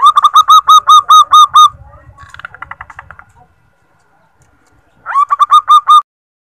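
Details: Female zebra dove recording used as a lure to get males singing: a fast run of about eight clipped, even cooing notes, then softer lower trilling notes, a pause, and another quick burst of similar coos near the end.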